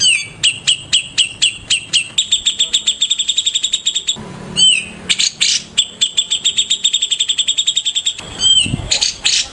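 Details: Morning song of a white-rumped shama, a lengthy, varied performance of accelerating high ticking runs broken by slurred, warbling phrases and a brief scratchy, noisy burst near the end.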